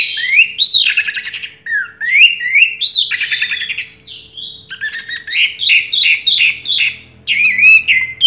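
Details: Champion Orange-headed thrush from a 2022 singing contest pouring out energetic song of rising slurred whistles, harsh scratchy bursts and rapid repeated clicking notes, phrases coming in quick succession with short gaps.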